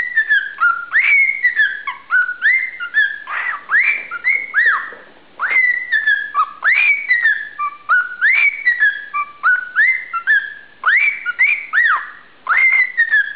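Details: A pet cockatiel whistles the Andy Griffith theme song at 1 am, clear rising and falling notes strung into repeated melodic phrases.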